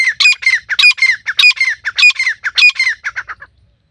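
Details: Female and male grey francolin calling, giving loud, harsh, squawking phrases repeated about every half-second, then breaking into quicker clipped notes that fade out; no other sounds.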